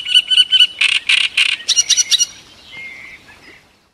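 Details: Great reed warbler (Acrocephalus arundinaceus) singing at Cihlový pond near Turnov, Bohemian Paradise, Czech Republic: loud, harsh, grating phrases repeated three or four times each, switching to higher chattering notes, then fading to a faint squeak.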